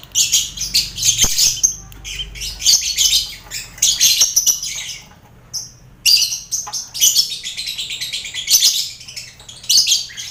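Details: Caged colony of contest lovebirds mixed with finches and quail. Loud, grating squawk bursts are repeated in clusters lasting about a second, with a short quiet spell midway and a low background hum.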